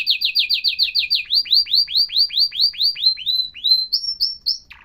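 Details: Canary singing a series of repeated downward-curving whistled notes, fast at first, then slower and broader, ending with a few short higher notes. The recording is clean, with no other sounds.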